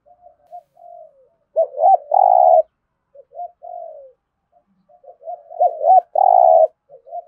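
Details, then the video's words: Spotted dove THỔ-style cooing played to make captive birds call, soft falling coos leading into two looped notes and a long loud buzzy coo, pattern repeated twice. "Tiếng chim cu gáy thúc gù + thúc đấu đủ bài giọng THỔ giúp bổi nhanh nổi"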